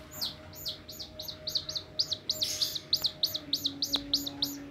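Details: A chick running to the fingers of the person who raises it, uttering piercing high peeps, each dropping slightly in pitch, repeated about three times a second in a steady run, with a faint steady tone behind.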